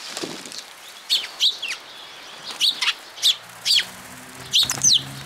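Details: Sparrows gathering at a post to be fed at a Tenmangu shrine, 8 June 2022: clear, sharp, high chirps, single or in quick pairs, about eight in five seconds, with a faint low hum.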